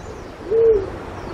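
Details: A black-chinned fruit dove in Pingtung County, Taiwan, on 1 March 2016 gives a single soft, steady low hoot lasting about a third of a second, over faint background hiss.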